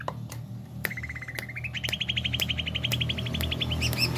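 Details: Greater green leafbird in jamtrok style: a long run of quick, evenly repeated notes climbing steadily in pitch, about four per second, over a low steady hum and a few sharp clicks.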